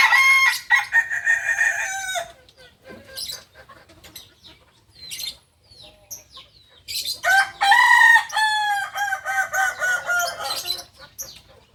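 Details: Two long crows from a Kukuak balenggek, the singing chicken of Solok in West Sumatra: the first opens the clip and the second starts near seven seconds, each stretched into a chain of stepped, pulsing syllables. Faint chirps fill the gap.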